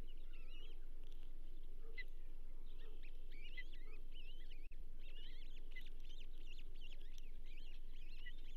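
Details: Osprey calling at the Charlo nest, 15 June 2024, with a bull trout delivered for the night: continuous high, thin, upslurred and downslurred whistled chirps in quick series over constant low rumbling background noise.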